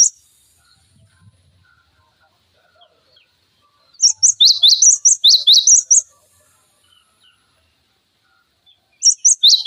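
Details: Cinereous tit singing, a tutor recording for training magpie-robins, green leafbirds and other fighter songbirds, in sharp 'tembakan' style; bursts of high, rapid two-note phrases, mostly silent between, the song resuming near the end.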